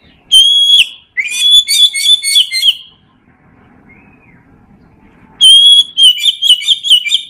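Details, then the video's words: Oriental magpie-robin singing in the loud, open 'ngeplong' style, used as a master recording to coax lazy birds into singing: two bursts of clear, loud whistled phrases, rapid and varied, separated by a quiet pause of about two and a half seconds. "Kacer Ngeplong!!!"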